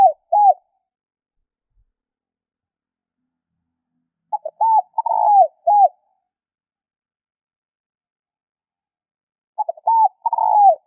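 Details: Repeated spotted dove calling meant to stimulate birds: phrases of short notes and soft arched coos, including a long rough falling coo, recur about every five seconds, three in all, with silence between.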